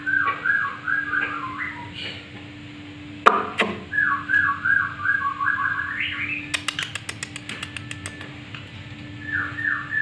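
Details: Black-winged myna practising and singing actively: repeated whistled phrases of short falling and rising notes, some slurred upward, with sharp clicks and tapping between phrases and a steady low hum in the room.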